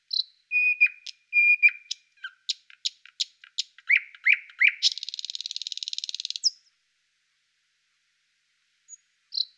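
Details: Thrush nightingale singing: sharp whistled notes and clicks, then a run of loud falling chirps leading into a dry, rapid rattling trill lasting over a second, followed by near silence and a final short note. No other sounds.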